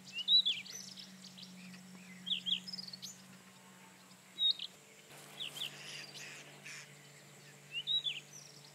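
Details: Song of a Rufous-tailed scrub robin: brief warbled phrases of a few twisting high notes, repeated roughly every two seconds, with a soft background hum.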